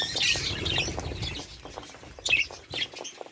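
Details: Budgerigar calls: a brief squeaky warble at the start, then quieter clicks, followed by two sharp high chirps near the end.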